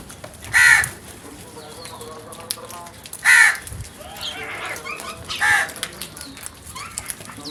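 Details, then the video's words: Several crows attacking food; three loud, harsh, hoarse caws spaced about two to three seconds apart, with faint chirps from other birds and low rustling between. "Number of Crows Brutal Attack on Food | Crows Sounds"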